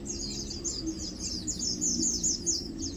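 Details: Lowland white-eyes feeding and preening, uttering quick bright high-pitched chirps in short downslurred bursts, several per second, over a faint low hum.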